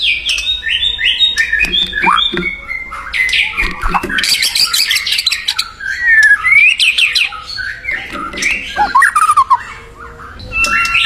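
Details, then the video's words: White-rumped shama in the wild singing vigorously: a dense, rapid stream of varied whistles, chips and warbled notes, with bright rising slurs and quick trills running almost continuously. "SUARA UNIT MURAI BATU GACOR DI ALAM LIAR"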